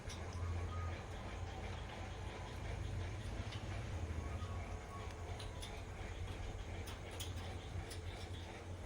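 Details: Steady low rumble like a passing train or vehicle, with no animal calls heard.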